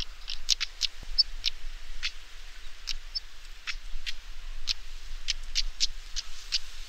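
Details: Stonechat recorded in Parque da Devesa, Vila Nova de Famalicão, Portugal: a run of sharp, dry clicking notes repeated irregularly, several per second, with low rumbling background noise.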